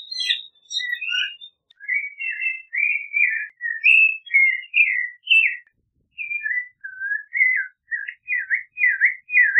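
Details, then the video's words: Lengthy Clay-colored thrush song of dense, overlapping whistled warbles, a short break, then a new burst of quick up-and-down slurred notes. "Clay-colored Thrush Singing! Clay-colored Thrush Calling! Sound! - Zorzal Pardo Canto - Turdus Grayi"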